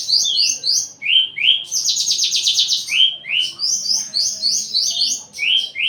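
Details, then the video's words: Mate-seeking Javan bush lark alternates paired high whistles and rising slurs with a burst of dense buzzy trill in the middle, repeated steadily. "branjangan lagi over birahi minta kawin"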